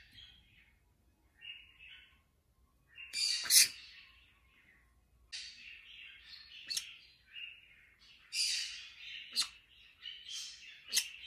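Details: Pet black-capped conure making a run of varied sounds: soft chatter and short chirps building into loud harsh screeches and raspy squawks, several bursts over about eleven seconds in a quiet room.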